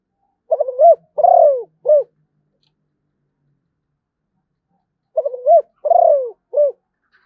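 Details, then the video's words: Zebra dove repeating its cooing song twice with a pause of several seconds between. Each phrase has stammering coos, a rolling trilled middle note falling in pitch, and a clipped end coo. "chim cu gáy malaysia"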